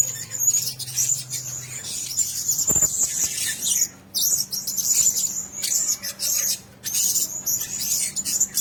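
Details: Caged Blue-crowned hanging parrots kept together call in shrill, high-pitched twittering bursts broken by brief silent gaps, with a low hum and a single sharp knock.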